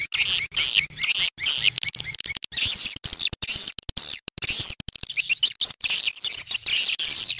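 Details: Swiftlet lure call mixed for swiftlet farming to draw birds in; a busy mass of shrill chirps and twitters runs throughout, chopped by many short sharp clicks and cuts.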